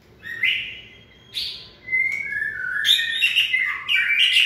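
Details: Cọp Biển, the white-rumped shama, in peak form for the 2020 season: two buzzy notes, a level whistle, then a fast jumble of bright, twittering phrases.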